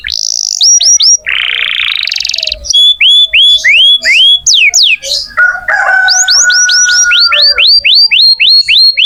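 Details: Canary in vigorous song, meant as a model for magpie-robins to copy: rising whistles, a harsh buzzy stretch, then sweeping slurred notes repeated about three per second, a level whistle, and a long run of rapid upslurs.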